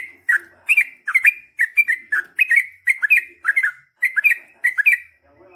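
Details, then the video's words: Yellow-vented bulbul in lively long ropel singing meant to make other birds reply: a continuous stream of bright, bubbly, down-up slurred whistles in rapid pairs. "KICAU SUARA trucukan gacor GARUDA ROPEL PANJANG"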